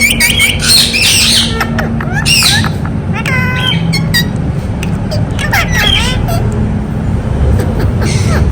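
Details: Ringneck parrot chatters in quick speech-like bursts and short harsh squawks during the first half, then quieter scattered notes against a low rumbling hum.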